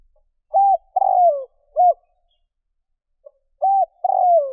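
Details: Lure call of a spotted dove, meant to draw in wild birds. A full phrase of short coo, long rolling downward coo and short coo is followed after a pause by the opening of the next phrase.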